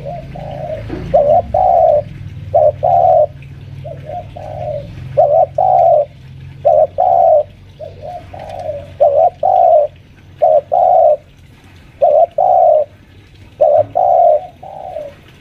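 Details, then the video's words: Five-year-old spotted dove lure bird kept at home, pressing an opponent: long series of low mellow coos in short-long pairs, repeated roughly every second and a half, over faint low background hum. "suara pikat tekukur"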